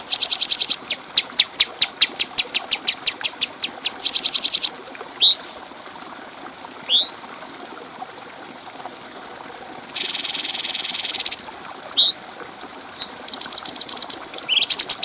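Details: Bulbul known locally as cucak cungko, a clear-voiced master recording for training other birds: rapid high ticking trills, upslurred whistled notes, and dense buzzy bursts, alternating in quick bouts with brief pauses.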